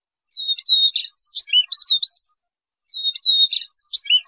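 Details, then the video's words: Trapping-lure song of a Siberian rubythroat: a clear steady whistle leads into quick twisting, sliding high notes, the phrase repeating after a short silence. "Tiếng chim Oanh Cổ Đỏ"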